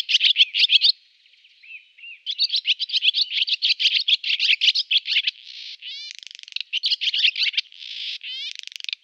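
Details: Singing male barn swallow: bursts of rapid chattering twitter, a short pause, then a long run of chirps broken by buzzy rasps and quick clicking rattles with upward-sweeping notes.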